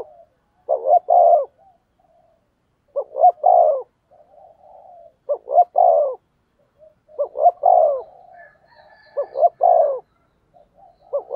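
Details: Decoy spotted dove cooing in a contest of voices to draw in wild doves. Clusters of two or three soft, rounded coos rise and fall, each cluster spaced roughly two seconds apart, with quiet gaps between and faint soft notes in the background.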